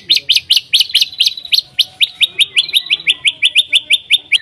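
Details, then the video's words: Loud white-rumped shama song meant to make other shamas sing. Crisp chirps repeat rapidly, about four to five per second, shifting partway through to a slightly lower, steadier series. "MURAI BATU GACOR AMPUH BUAT PANCINGAN MURAI BATU AGAR BUNYI CEPAT BIKIN MURAI BONGKAR MATERI"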